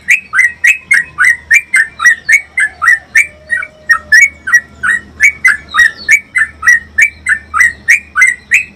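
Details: Yellow-vented bulbul in a long, rapid run of bubbly, slurred notes, about three per second, over a faint low hum; a recording used to train caged bulbuls to sing.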